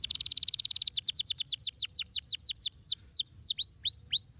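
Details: Fast buzzing trill from a canary, followed by a run of downward-sweeping whistled notes that spread out into slower, looping phrases.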